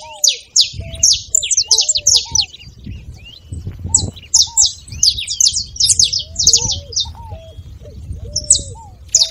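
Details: Song of a saffron finch, used to encourage a quiet canary to sing: bursts of crowded high chips separated by short gaps, over recurring low whistled slurs and soft background noise.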